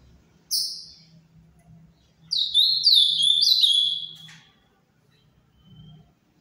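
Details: Ultramarine grosbeak, Paraná form, captive, giving a single bright falling whistle, then a loud two-second warble of linked descending slurs, ending in a soft trailing note over a low hum.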